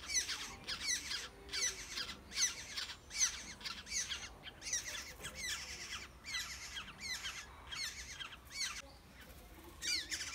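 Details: Wild Black-headed oriole chicks in the nest being fed by adult birds, giving rapid, harsh, squeaky calls in bursts of rising strokes, about one burst a second with short pauses, over a quiet rural background.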